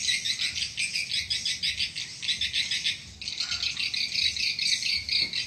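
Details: Swiftlet calling and lure sound meant to attract swiftlets: dense, buzzy, high chittering in rapid pulses, repeated several times a second and continuing almost without a break, with a brief dip in the middle.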